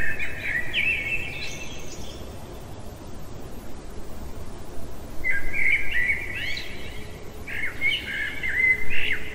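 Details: Common blackbird singing in the heart of the night: two mellow warbled phrases around mid pitch, one at the start and a longer one after five seconds, separated by a pause, over steady low background rumble.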